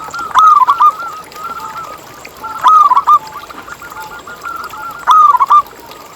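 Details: Local Indonesian zebra dove in full singing form, played as a lure to get other zebra doves to sing: three quick, stuttering, trilled coo phrases, each about half a second, repeated roughly every two and a half seconds over a quiet background.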